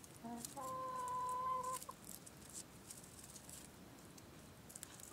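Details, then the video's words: Chickens chattering in March at 17:00 in warm 15-degree weather: a few short low clucks, then one drawn-out, steady, nasal note lasting about a second, followed by quiet ticking sounds. "Hühner Tratsch im März bei warmen 15 Grad um 17:00 Uhr."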